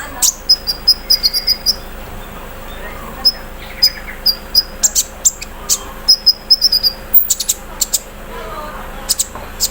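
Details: Olive-backed sunbird kept in a cage and set out in the morning dew delivers a loud embroidery-machine style fill-in, a steady series of piercing high ticks and short stuttering trills repeated roughly every half second.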